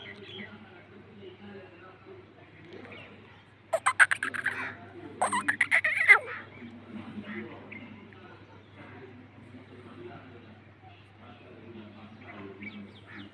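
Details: Sindhi black francolin let out of its cage, giving two bursts of harsh, rapid, grating notes about a second apart, with quiet human voices and a low hum underneath.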